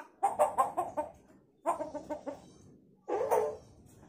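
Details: Hill myna mimicking a chicken, giving three bursts of rapid, hen-like clucks, each a quick string of harsh notes, the last burst rougher and more drawn out.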